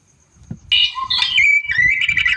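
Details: White-rumped shama, described as wild-type, singing vigorously to provoke a rival: after a quiet start, loud whistled phrases with sliding notes and a long steady high tone, with faint low thumps beneath.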